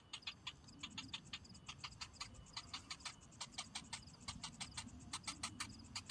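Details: Hungry cinnamon bittern chick whose parent has not brought food, giving rapid dry ticking pulses, several per second in uneven bursts, sharp and clicky across a broad range, over low background rumble.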